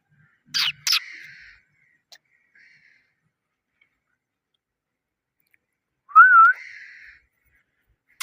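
A parrot gives two sharp, harsh chirps, then after a long quiet spell a wavering, warbling whistle, and one more abrupt chirp at the end.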